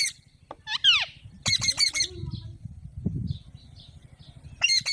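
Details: Alexandrine parakeet giving natural calls: a falling, slurred squawk, then a quick run of harsh, buzzy squawks, a few soft notes, and another harsh burst at the end, over a steady low hum.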